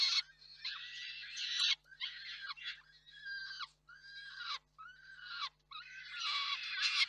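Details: Peregrine falcons at the nest in May 2023 as the male brings food and the female feeds the young; harsh, wailing screams in drawn-out bursts of one to two seconds, separated by short pauses, repeated throughout.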